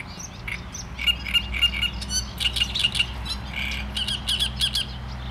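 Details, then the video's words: Great reed warbler singing continuously: coarse, squawking syllables repeated in groups, strident and rhythmic, with little pause across the clip. "Trzciniak i jego śpiew"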